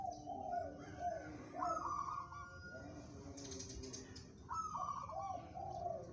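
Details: Local zebra dove, said to have a steely temperament fit for competition, giving vibrating coos in descending steps, a pause with a faint hiss, then another trilled phrase.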